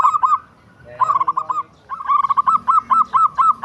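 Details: Zebra dove, local bird, singing in rapid runs of short, clipped hooting notes, with a brief fuzzy, harmonic interruption between bursts, then a steady stream of evenly spaced notes to the end.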